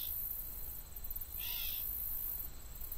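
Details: A Gray Catbird on the Gypsum Mine Tract, Haldimand, Ontario, in late summer, gives one brief, nasal mewing call, a call not a song, sex unknown, over a steady low rumble of wind and faint high insect hiss.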